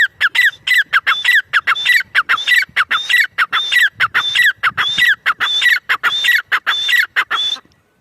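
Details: Long unbroken series of grey francolin calls, loud and metallic, each phrase a sharp note, a rising whistle and a falling slur, repeated at a brisk, regular pace for about seven seconds.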